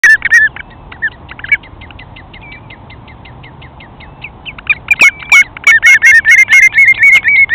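A Redshank gives a fast run of high piping notes, about four a second. They start soft and distant, then swell into a loud, ringing yodel.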